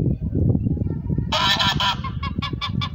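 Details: Pilgrim goose with orange feet giving loud, harsh nasal honks, a clustered burst followed by several quicker separate honks, over steady low rumbling background noise.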